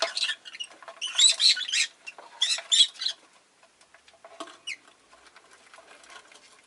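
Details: Pet rosy-faced lovebird chattering with rapid, raspy, high chirps in quick clustered bursts. One brief rising whistled note cuts through midway, then softer scattered chirps and scratchy rustling noises follow.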